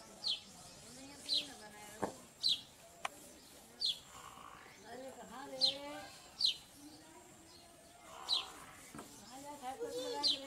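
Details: While purple sunbirds feed their young, high, thin, falling chips repeat roughly once a second, about ten in all. People talk quietly underneath, with a couple of sharp clicks.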